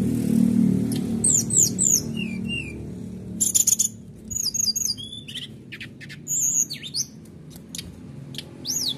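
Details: Canary singing to provoke other caged birds: varied high whistled slurs, rapid trills and sharp chirps in quick succession over a low rumbling background.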